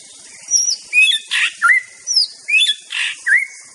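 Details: White-rumped shama from Aceh, a master song recording: clear whistled phrases, some rising and some falling, alternate with harsh buzzy bursts, about eight notes in under four seconds.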